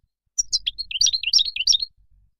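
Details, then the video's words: Moroccan goldfinch singing a brief phrase of rapid, high twittering notes, slurred up and down, lasting about a second and a half before falling quiet. "تغريد مقنين مغربي"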